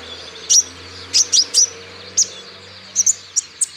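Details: Male olive-backed sunbird of the green Natuna type, singing to prompt other birds: scattered loud high chips, a close pair near the start and a tight cluster toward the end, over a faint low hum.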